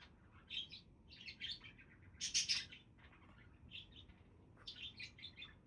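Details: Budgies chattering with bursts of scratchy, high warbled chirps, a loud harsh rasping cluster in the middle, then softer repeated squeaks toward the end.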